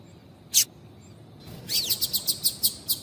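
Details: Female double-collared seedeater calling to stir a male into singing: one sharp high chip, then a rapid run of about eight thin, high, evenly spaced notes with a few downward sweeps.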